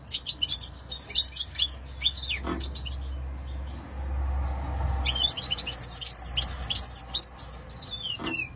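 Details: European goldfinch singing in two bursts of fast, bright twittering and tinkling trills separated by a quiet gap, with a low hum in the background and a couple of clicks.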